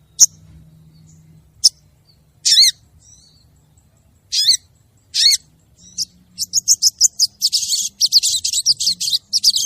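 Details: Lure call of a female crested jay summoning the male: scattered sharp clicks and harsh rasping notes, building into a rapid, rattling series of grating notes toward the end.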